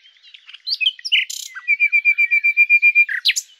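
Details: Common nightingale (Luscinia megarhynchos) singing: varied chirps and a buzzy burst, then a steady run of about fifteen clear repeated notes at even pitch, ending in a sharp rising flourish.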